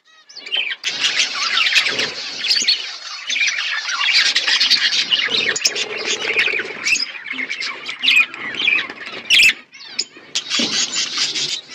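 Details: Asian pet budgie flock at its winter food, giving a steady wash of squawky chatter and high warbles from many birds, with occasional sharp clicks and a brief pause late on.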